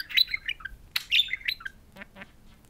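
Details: Two pet budgerigars, talking parakeets kept indoors, chatter at a mirror: short squawky warbled notes and bright chirps, with a few lower rasping sounds near the end.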